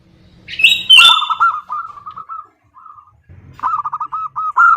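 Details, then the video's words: Calling female zebra dove seeking a male: a shrill high squawk opens, then fast rough notes trail off. After a pause, a fresh rapid burst of hoarse, arched notes follows. "Suara Perkutut BETINA Memanggil JANTAN || The sound of a female turtledove calling male."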